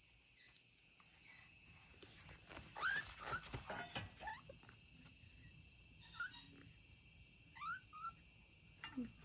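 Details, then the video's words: Lonely-sounding calls of a solitary African grey parrot chick born August 2020 at a breeding facility: clusters of quick rising whistled chirps, a pause, then more paired upslurs, mixed with faint clicks over steady hiss. "とても鳴き声が可愛い2020年8月生まれのヨウムの雛 African Grey Parrot"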